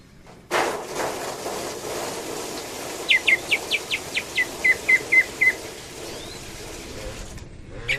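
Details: Greater green leafbird from Cililin, 'tembakan' style: over steady background hiss, a single short series of about twelve sharp, downslurred notes repeated roughly four per second.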